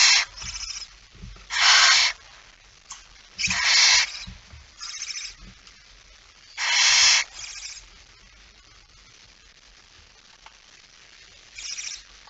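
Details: At 23:55 on 17 September 2019, with a male barn owl bringing in a mouse: loud rasping hiss-screeches of about half a second, irregularly spaced, with quieter shorter hisses and faint knocks between them.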